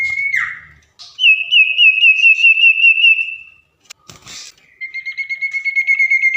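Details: Tame common iora singing actively at night: long sustained whistles, one dipping downward, then a fast trilled whistle and a steady whistle pulsing rapidly, with a brief rattle between.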